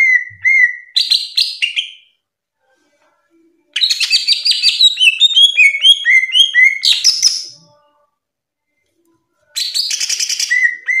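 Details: Greater green leafbird, a cucak ijo in full ngerplong song used as tutor and therapy material for kept birds: bursts of sweet whistles and rapid chattering trills climbing high, separated by short silences.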